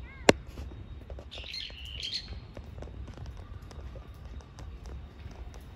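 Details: Brown-eared bulbul giving a screaming, wailing call: a harsh, high screech lasting about a second, after a sharp snap and a brief squeal; faint rustling outdoor background.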